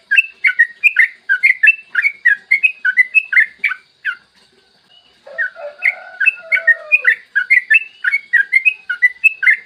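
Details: Yellow-vented bulbul singing a lively long 'ropel' song in the morning, used as a tutor lure. Fast bubbly chirps in steady runs, broken by a pause and a lower warbled whistle, then rapid chirping again.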